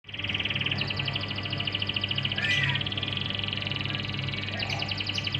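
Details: Canary song used as a lure for untrained canaries: a dense, continuous rattling trill held at a steady high pitch for the whole stretch, with a brief louder burst midway and a low steady hum underneath.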